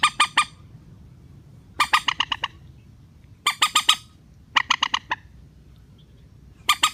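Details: Rail calls used as a relaxed-style lure to bring wary birds down for net trapping: bursts of three to six harsh, broadband, rapidly repeated notes, roughly every one to two seconds, over a quiet low hum.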